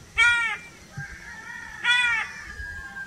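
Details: Crow repeating two harsh, raspy caws about 1.7 seconds apart, with faint whistled bird notes between them and low rumbling background.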